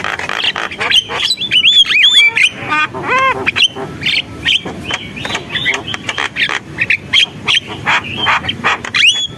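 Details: Javan myna singing busily: a dense, fast stream of arched nasal notes, clicks and short whistles, some rich harmonic squawks mid-way, continuing in rapid varied phrases.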